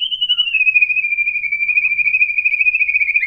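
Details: Single sustained, trilling whistle from a white-rumped shama, held steady for over three seconds, sung to provoke other shamas into answering.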